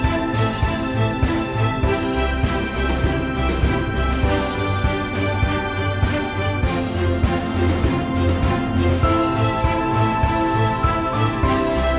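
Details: Upbeat instrumental music with a steady beat plays throughout, and no animal sounds are heard.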